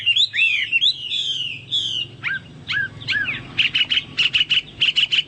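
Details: Chinese hwamei singing like a cucak Papua or cucak mas: long drawn whistles first, then a few separate descending slurs, ending with a rapid series of short, buzzy repeated notes.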